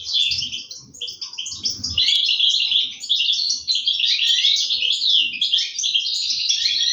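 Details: European goldfinch chicks being fed by their parents in an aviary, 2023: a dense, continuous chorus of high, scratchy, buzzy twitters, briefly dipping near the start, with soft low thumps underneath.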